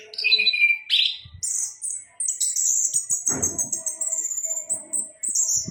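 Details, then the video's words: Song of an orange-headed thrush, or anis kembang: a falling whistled slur, then long high thin whistles and rapid trilled phrases, with a short low rustling thump partway through. "Burung Anis Kembang"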